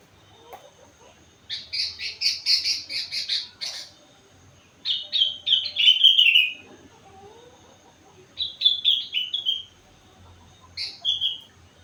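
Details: Four-month-old sooty-headed bulbul singing vigorously with learned rengganis and cucak wilis phrases: a loud buzzy run near 1.5–3.5 s, then descending whistled trills, short chirpy bursts and a final brief slurred note.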